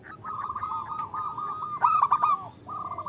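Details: Female zebra dove calling the male, used to lure local males into singing; a steady, fast purring trill rising into a louder bright stutter, then a short trill again.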